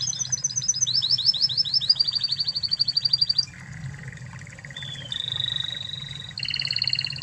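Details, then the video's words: Spanish Timbrado canary from Spain performing: quick high chip series, a rising repeated swept note about four per second, a fast level roll, then lower soft trills and a final bright steady tour. "Masteran Kenari Spanish Timbrado Ori Spanyol"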